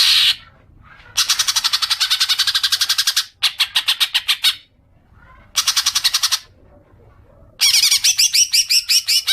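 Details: Green magpie call played as a lure for long chattering: several rattling bursts of quick, harsh, evenly paced notes with pauses between, the final burst carrying squeakier rising notes.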